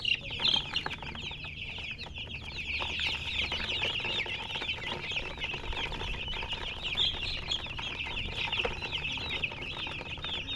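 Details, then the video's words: Steady chirping from many colored chickens, high peeps densely overlapping throughout, with a couple of louder sounds at the opening. "silly chicken chirping sounds with murgi hen color chicken"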